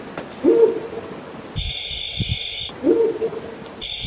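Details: A mottled wood owl, found in India's Peninsular Western and Eastern Ghats and central India, gives two short, low, wavering hoots about two and a half seconds apart, with a steady high electronic tone in between.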